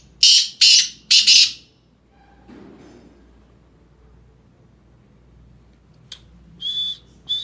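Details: Black francolin, Sindhi type, opens with three loud, hoarse, scraping notes in rapid sequence, falls silent, then gives softer, shorter rasping notes toward the close.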